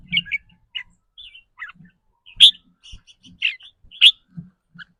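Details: Caged red-whiskered bulbul whose rapid ‘rik’ song depends on its mood that day. Spaced, varied chirps and whistled notes, with a few louder sharp calls and occasional low thuds.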